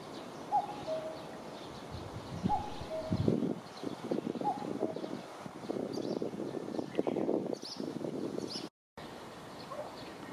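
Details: Courting male common cuckoo singing around a female before bringing her a leaf: three clean two-note cuck-oo calls, high then lower, spaced about two seconds apart, followed by louder rustling and rumbling noise.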